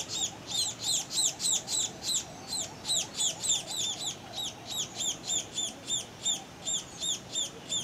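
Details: Two young Scaly-breasted munias, subspecies particeps, beg for food as they return to the nest at Tangkoko, Sulawesi, Indonesia, 22 August 2014; rapid high squeaky downward chirps in a steady series, some overlapping, roughly three per second.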